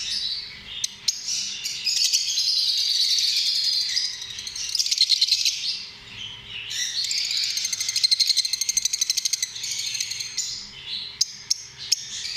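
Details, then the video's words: Lovebirds keeping up a steady shrill twittering and rasping chatter, with rapid ticking pulses and a short quieter pause midway before the chatter resumes. "Amazing sound of love birds"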